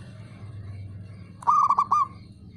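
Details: Male zebra dove, a local perkutut, uttering a brief rapid run of rolling, bubbling coo notes lasting about half a second against a low steady hum.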